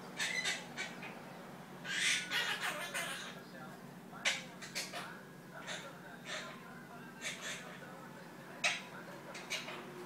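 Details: Pet monk (Quaker) parakeet talking nonsense, chattering in scratchy, speech-like bursts and squawks, with short harsh syllables spaced irregularly over a steady background hum.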